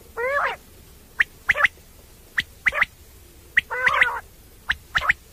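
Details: Common quail (batair), a night-time hunting call: short, sharp, clipped notes in pairs repeated roughly every second, between two longer, harsher, broader calls at the start and middle.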